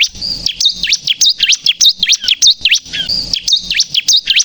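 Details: Energetic bar-winged prinia song intended for trapping and provoking birds: shrill, high zigzag notes sweeping down and back up, delivered in two bursts of rapid chirps with a short break.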